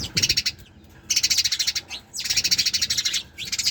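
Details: Three fast, buzzy bursts of rapid, evenly pulsed high notes from sparrows, each about a second long, broken by short silences and a single sliding chip.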